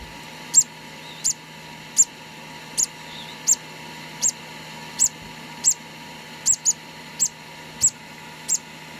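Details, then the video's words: A two-day-old conure parrot chick during hand-feeding utters thirteen brief, squeaky, very high-pitched peeps at a steady pace of roughly one every two-thirds of a second, against a soft constant hum. "2 day old hand feeding conour parrot"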